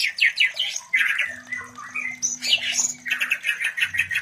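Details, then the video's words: White-rumped shama breeding-stimulation song used to bring other shamas into breeding condition; rich, varied phrases of squawky notes and whistles jumping between mid and high pitch, with a steady low hum underneath. "Terapi Suara Murai Batu Kawin"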